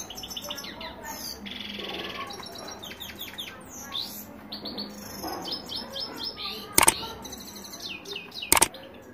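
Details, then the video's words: European goldfinch song with rolling delivery: quick chattering runs of tinkling notes and a buzzy held phrase, the twitter continuing throughout, with two sharp clicks near the end. "Goldfinch rolling and singing on over self"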